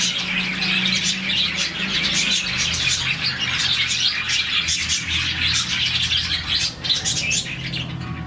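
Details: Morning chirping of a colony of about 40 happy budgies. Many birds twitter together in fast, buzzy, high chirps and squeaks, steady and dense, briefly quieter near the end, over a low hum.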